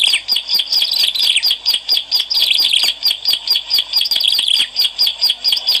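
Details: Bar-winged prinia singing energetically, as played to lure birds: rapid high chirps repeated in quick, even pulses, roughly two per second, forming a busy, ringing chatter throughout.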